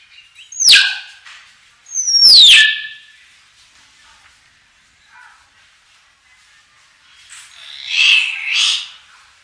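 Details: Common hill myna lure song: two loud, piercing whistles that slide steeply downward, about a second and a half apart, then a soft note and a later pair of fuller, rasping calls. Quiet in between.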